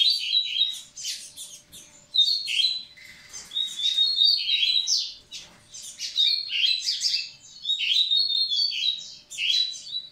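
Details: Double-collared seedeater song aimed at preparing females: repeated phrases of quick chirps leading into clear whistled trills and rough buzzes, delivered in loud bursts separated by short quieter gaps over ten seconds.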